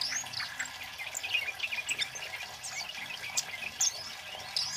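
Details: Male Scarlet-headed Flowerpecker singing loudly and continuously, used as a lure and to train songbirds: a dense run of high, thin chirps and short sweeping twitters, sharp accents near 1.4 and 3.8 seconds, with faint hiss behind.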